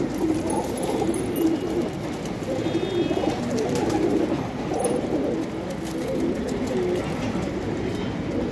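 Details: Pigeons in Gujarat, India, producing continuous low, bubbling coos in overlapping waves, with a steady hum of background noise and occasional faint higher chirps.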